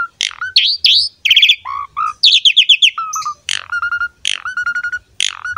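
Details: Asian pied starling singing energetically while pumping, a model song for tutoring young and wild-caught starlings: quick run of rising whistles, buzzy rattling bursts and level whistled notes, repeated in short phrases with brief pauses.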